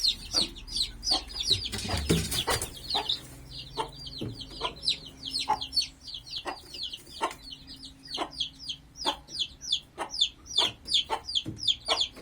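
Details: A helmeted guineafowl mother reunited with her brood: the chicks, eager to reach her, peep constantly in high, thin, downslurred notes, with a few low clucks beneath.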